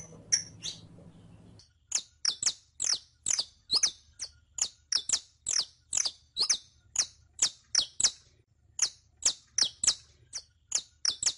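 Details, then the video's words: Saffron finch recorded to train a caged bird to sing: a long steady series of sharp, high, falling chip notes, about two per second, with a short hum-laden stretch of scattered notes at the start. "ENSEÑA A CANTAR A TU CANARIO CRIOLLO CON ESTE AUDIO DE 15 MINUTOS [SICALIS FLAVEOLA]"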